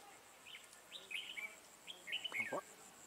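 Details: Red-whiskered bulbul used as a decoy, singing in a fight to lure wild bulbuls into a trap, recorded 4 December 2017: short bright whistled phrases, some rising and falling, over a steady high insect hum, with people talking nearby.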